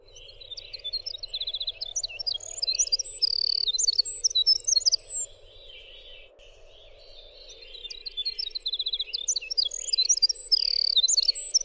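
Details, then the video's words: Two long bursts of winter wren song in a clear training recording for songbirds: each is a fast cascade of high, tinkling notes, short trills and squeaks, separated by a pause of a few seconds; a soft low hum persists throughout. "suara winter wren"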